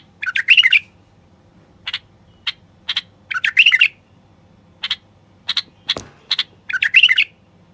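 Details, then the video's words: A common bulbul, said to be a male, gives short, harsh chattering bursts mixed with brighter clipped notes, irregularly spaced every second or so, over a faint low hum. "تغريد خاص لتحفيز البلابل الوحشية القافلة"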